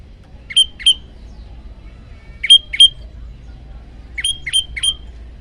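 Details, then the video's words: Olive-backed tailorbird singing on a bird-training master: loud high chips given in short pairs and a triplet, separated by gaps of over a second, against a quiet background. "masteran burung prenjak lumut variasi"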